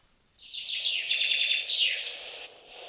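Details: Red-breasted Flycatcher song from a 1990 collection of bird voices of Wielkopolska National Park, Poland, among the forest birds: a high, thin phrase of quick repeated notes sliding into descending notes, then a sharp high note, over faint hiss.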